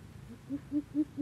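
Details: Coucals squabbling like chickens: one gives a short run of deep, hollow hoots, about four notes a quarter-second apart and growing louder, over faint background hum.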